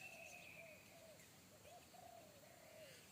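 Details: Wild forest spotted dove with a big bass 'kuk satu' call that frightened a training decoy dove; a quick series of low, slightly arched coos, with a thin high whistle at the start.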